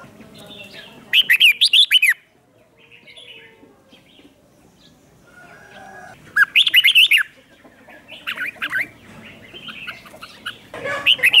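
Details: Red-whiskered bulbul kept as a lure to call birds in, singing short, rapid warbled phrases of looping whistles, with softer answering chirps and faint background bird notes between the louder bursts.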